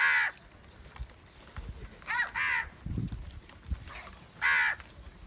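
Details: Angry house crows gathering and fighting over rice food, giving harsh, nasal caws in short bursts, three loud ones spaced irregularly over five seconds, with quieter caws and low thumping sounds between.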